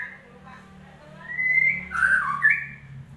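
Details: Shama song meant to make a silent bird start singing: a soft opening note, a long rising whistle, then a loud burst of rich warbled notes with a brief high click.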